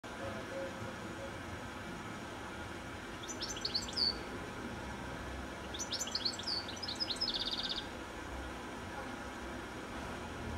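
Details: Goldfinch singing in the evening from a telephone wire high up just before sunset: two bursts of quick high twittering notes, the second closing with a fast buzzy trill, over steady low background hum.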